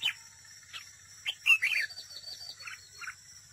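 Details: Decoy red-whiskered bulbul singing competitively at a trap: a loud, rolling warble in the middle framed by single sharp chirps, with faint softer notes after and a constant high background hiss.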